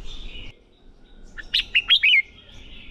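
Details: Red-whiskered bulbul in a training recording meant to stimulate competition song. After a faint whistle, a short, loud phrase of four quick, liquid, rising-and-falling whistled notes sounds, ending in a soft trailing tone.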